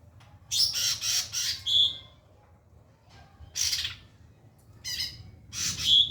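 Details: White-rumped shama recorded as a training song for other birds, giving harsh, buzzy bursts of high notes in three spaced groups, the first a run of four quick bursts ending in a short thin note, over a quiet background.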